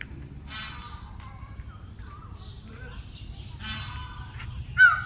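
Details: At the National Zoo in Mirpur, Dhaka, Bangladesh, a peacock (Indian peafowl) gives a few harsh, nasal bursts spaced a few seconds apart, with a sharper upward note at the end, over a steady low rumble.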